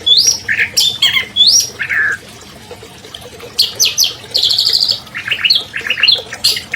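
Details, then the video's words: Albino long-tailed shrike, a champion bird from 2020, used as a master song for captive shrikes that have stopped singing: rising whistles, slurred falling notes, a brief pause, then fast rattling trills and chirps. "MASTER SUARA CENDET ALBINO JUARA 2020"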